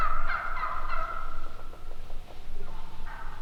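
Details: Wild turkeys giving a few short, repeated calls at the start, fading into softer, scattered notes and a faint final call.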